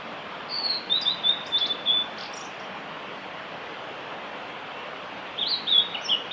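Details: Male blue-and-white flycatcher singing on the Kanazawa forest road at Lake Miyagase, Japan, on 5 May 2018: a clear, high, whistled phrase of quick sliding notes, then a long pause before the next phrase begins. Steady rushing background noise throughout.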